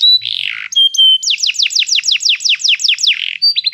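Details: Training song of a canary: a buzzy descending note, two short whistles, then a string of rapid downward-sweeping high notes and a final quick trill.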